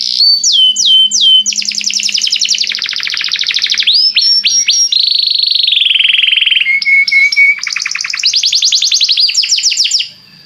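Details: Belgian canary in full song to get other canaries singing: a long varied sequence of whistled down-slurs, dense buzzy rolls, a sustained falling whistle, flat held notes and fast trills, ending abruptly in near silence.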